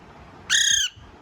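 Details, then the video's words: Alexandrine parakeet giving its natural call, a single harsh, buzzy squawk under a second long, loud against a quiet background. "Alexeander parrot natural sound"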